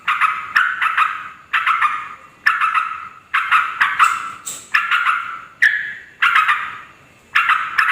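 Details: Yellow-vented bulbul calling to lure wild females and males: bursts of loud bubbly chattering phrases, about one every second, each starting sharply and fading.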